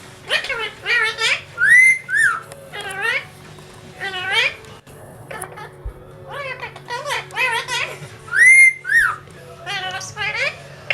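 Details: Pet talking parrot, male, mimicking human speech indoors while struggling with the phrase "wake your ideas up": repeated speech-like, warbling syllables mixed with clear rising and falling whistles in two similar runs.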